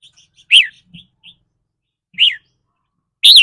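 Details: Caged red-whiskered bulbul producing its 'rik' song, said to vary with the bird's daily mood: three strong slurred whistles with a quick upward then downward sweep, with quiet twitters between them.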